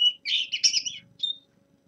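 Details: Brief fragment of a young male common linnet's winter warm-up song: a short high chirp, a burst of buzzy twitter, then a thin rising note.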